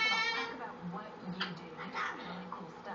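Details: A male umbrella cockatoo, dancing and singing to his own beat, opens with a drawn-out, nasal, bleating note, then carries on with softer, speech-like mutters and brief raspy squawks.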